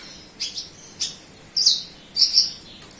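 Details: Local Javan bush lark from Kediri, Java, singing actively: sharp, very high chirps in four short bursts about half a second apart, each with a quick double note, over a quiet background.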